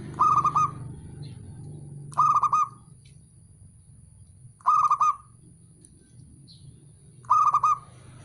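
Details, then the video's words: Male zebra dove (perkutut) calling: four short phrases of rapid, stuttering, mellow coos, each about half a second long and spaced roughly two and a half seconds apart, over a faint low hum. "MENDONGKRAK PERKUTUT MALAS BUNYI"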